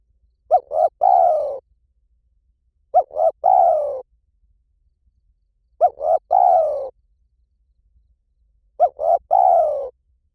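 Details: Call of a spotted dove, 'lio tan' style, used as a lure so a trained dove answers back: four phrases roughly three seconds apart, each a quick double coo followed by a drawn-out descending note.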